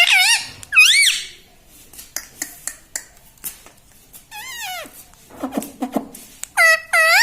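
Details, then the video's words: Pet ring-necked parrot indoors in a small room, talking and mimicking words: several loud, bent, harmonic vocal phrases rising and falling, with short clicks and quieter chatter between them, and two final strong calls near the end. "Bolne wala tota - tota talk - mummy bolne wala mitthu - talking parrot"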